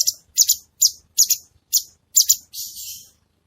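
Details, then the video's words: Red-whiskered bulbul training song for cage birds. A run of short, sharp, high double-noted chips repeats about twice a second, then ends in a softer buzzy rattle. "Masteran Cucak Cungko Istimewa | Tembakan Tajam Rapat Suara Jernih"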